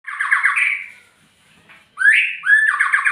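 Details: Magpie-robin singing loudly and close: harsh, buzzy trilled phrases with a high thin overtone, a pause of about a second, then a sharp rising note followed by another rasping trill.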